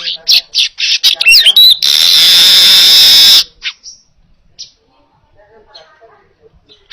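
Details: Baya weaver in clear, lively song meant as a teaching recording for other birds: fast clicking chatter and twisting whistles end in a steady hissing buzz over a second long, then quiet with faint calls.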